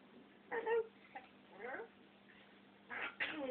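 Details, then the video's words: Talking African grey parrot kept as a pet indoors, producing a few speech-like words in short bursts with falling harmonic tones, quiet gaps between them, over faint room hum. "talking parrot"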